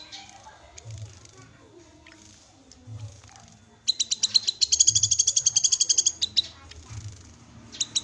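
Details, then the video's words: Black-capped babbler: faint background murmur, then a loud rapid rattle of sharp high notes lasting about two seconds, ending with a few isolated notes; low periodic hum throughout. "Kinoi Bahan Langsung Bunyi Dengar Suara Call Kinoi ini"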